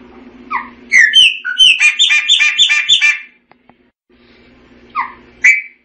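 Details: Song of a Chopi blackbird: rising whistles lead into a fast rattling series of metallic notes, then a pause and further sharp whistled notes over a faint low steady hum.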